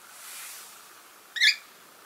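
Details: Sleeping pet masked lovebird gives a single short, sharp chirp late in the recording, preceded by a soft airy rustle and faint room hiss.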